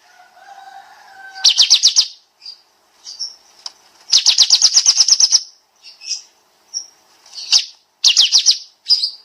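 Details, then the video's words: Master recording of a kapas tembak (olive-winged bulbul) in the dense shooting 'nembak' style: a few low whistled notes, then long rapid rattling bursts of high sharp notes, separated by single short chirps. "Masteran Burung Kapas Tembak Suara Rapat Nembak Nembak"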